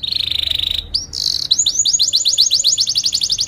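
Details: Training lure song of a canary for young birds: a steady buzzy roll, two brief sweeps, then a quickening series of repeated down-slurred whistles.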